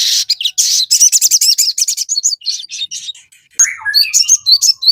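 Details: Crested jay singing, played to provoke birds into calling back: a dense, harsh chattering run of rapid notes, then clearer high chips and a short falling whistle.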